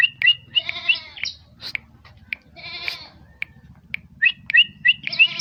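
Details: Bar-winged prinia (ciblek) singing: runs of sharp, high repeated chip notes alternating with harsh, nasal buzzy phrases rich in overtones, delivered in quick bursts with short pauses and a faint low hum behind.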